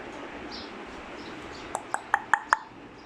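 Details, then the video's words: Black-capped lory giving a talking whistle: five short, sharp whistled notes in quick succession, about five a second, rising in loudness, in a quiet room. "Black Cap Lorikeet Talking whistle"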